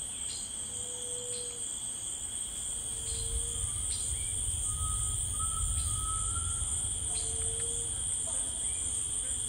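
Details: Drawn-out pure whistles from a grey tinamou in rainforest, low notes alternating with higher, slightly rising ones every second or two, over continuous insect buzzing and faint lower rumble.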